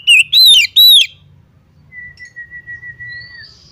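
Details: Female Oriental magpie-robin calling to a male: three loud, harsh, ringing notes in quick succession, each rising then falling, followed by a long, steady, thin whistle held for over a second and a faint higher whistle at the end.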